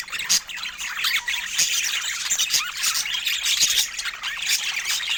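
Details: A group of rare-mutation budgerigars calling constantly: rapid twittering warble mixed with harsh squawks and short whistled notes, many birds overlapping without a break.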